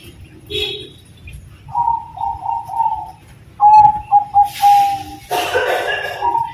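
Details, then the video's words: Perkutut Bangkok zebra dove sings a gacor song in the terasan style: soft mellow coos around a steady pitch, one short series and then a louder staccato run of clipped notes, with bursts of rustling noise "Perkutut Bangkok Gacor Terasan Suara Syahdu"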